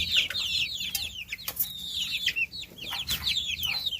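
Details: Baby chicks on a farm chirping: many overlapping high, thin peeps, each sliding downward, in a busy, continuous chorus with occasional soft rustling and thumps.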